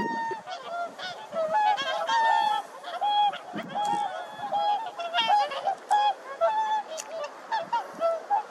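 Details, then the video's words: Several whooper swans, described as singing and dancing, trade loud, bugling honks in an irregular overlapping chorus of brassy, trumpet-like notes roughly every second. "큰고니가 노래하고 춤추고 있다 Whooper Swans Singing And Dancing"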